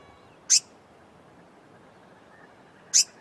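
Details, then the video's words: Blue-mantled Crested Flycatcher call: two sharp, high, rasping notes about two and a half seconds apart against a quiet background. "Blue mantled Crested Flycatcher call"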